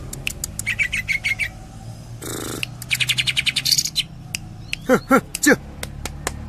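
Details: Greater green leafbird singing in the tembakan style from Cililin: quick bursts of repeated chirping notes, a brief noisy rush midway, then several sharp downward-sweeping notes and scattered clicks.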